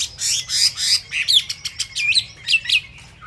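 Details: Chinese hwamei whose feathers have not yet dried, giving harsh, raspy squawk-like bursts followed by quick, sharp whistled notes and looping slurred phrases.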